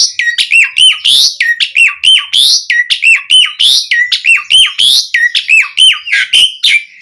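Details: Lure song of an Asian pied starling meant to make other starlings sing: a rapid, steady series of paired whistled notes with dipping and rising slurs, repeated roughly every half second with harsh overtones.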